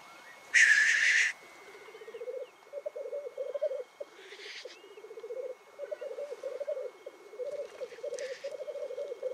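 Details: Black grouse lekking on a morning in the Cairngorms National Park, displaying, calling and fighting: a steady, low, dove-like rookooing bubbles on almost without a break, broken by loud, harsh hissing sneezes.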